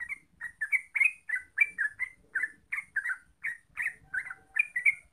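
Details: Yellow-vented bulbul (trucuk) pouring out rapid chirped lure song to get birds singing: bright notes run on without a break, some slurred upward, with faint low background rumble.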